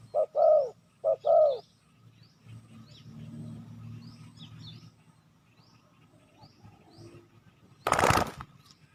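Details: ['Two brief phrases of deep, hollow coos from a spotted dove, used to lure wild doves, followed by a low rumble, faint high chirps from other birds and a sharp knock.']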